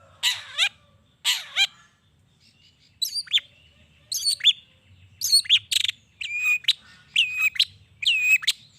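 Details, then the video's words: Long-tailed shrike song used to provoke other shrikes into answering: two harsh rasping bursts, then a run of varied, sharp whistled notes with abrupt rising and falling slides, given in quick clusters. "Cendet Gacor Pagi Siang Sore...Merangsang Emosi Cendet Manapun Agar Cepat Nyaut Emosi Dan Ikut Bunyi"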